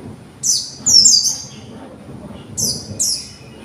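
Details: Juvenile white-eye from conservation breeding, learning its song, utters two quick pairs of high, thin, slurred notes about two seconds apart.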